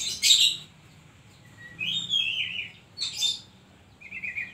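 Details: Oriental magpie-robin in full song with imitated phrases: loud buzzy bursts alternating with clear whistled notes sliding downward, phrases separated by short pauses, no other sounds.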